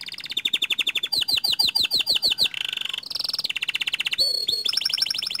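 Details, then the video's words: Panda canary singing in full voice with long rolling phrases: rapid trills of repeated high notes, each tour switching to a new note type, some bright sweeping whistles, others dense buzzy rattles, delivered without pause. "Suara Kicau Kenari PANDA Gacor Ngerol Nembak Panjang MANTAP"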